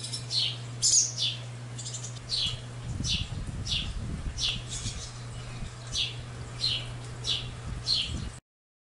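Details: High, clipped chirps from barn swallow fledglings, tallgrass prairie preserve near Pawhuska, Oklahoma, 1 July 2018; notes come in an uneven series, a brighter squeaky burst near the start, with low rumbling handling noise midway and a steady hum throughout.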